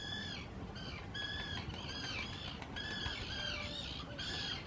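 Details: Common terns in noisy spring 2018 courtship, claiming nest sites on islands in the Hula reserve, give harsh, grating, slightly downslurred calls, several overlapping in quick succession, over low wind or surf rumble.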